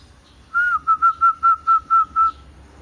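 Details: Pet zebra dove offered for sale, giving a single phrase of eight clear whistled notes on a steady pitch, evenly spaced and about a quarter second apart. Faint low hum in the background.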